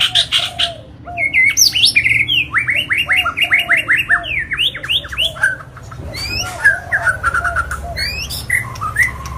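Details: Agitated white-rumped shama singing non-stop, played to provoke other birds into singing: a rich, fast stream of varied whistles, rapid repeated slurred notes and sharp high chips. Low cooing, other birdsong and a steady background hum run beneath it.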